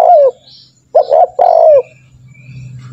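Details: A spotted dove calls to train other doves to call quickly. A long coo falls away, then a phrase of two brief hollow notes leads into a sustained, gently descending coo. A low hum rises afterward.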